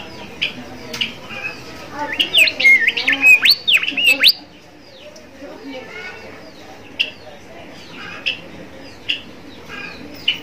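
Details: Bimoli song played as a master recording to lure and tutor young bimoli learning to sing: a dense burst of sharp, rising and falling chirps for about two seconds, then scattered single high notes over a quiet background.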